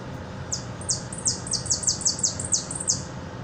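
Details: Hooded siskin from Buenos Aires singing in the repique style: a rapid run of high, sharply descending notes, roughly three per second, over a steady low background hum.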